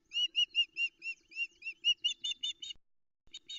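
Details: Osprey at a Loch Arkaig nest, Arkaig Community Forest, early morning 13 July 2020 after a trout delivery; female keeps begging for food with a rapid run of high whistled arching chirps, about five per second, then two more.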